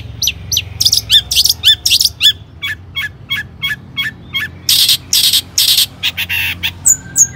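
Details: Lure song of a long-tailed shrike, played to get other shrikes singing: varied sharp chips and downward-hooked whistles, then loud harsh noisy bursts and a final pair of high sliding notes.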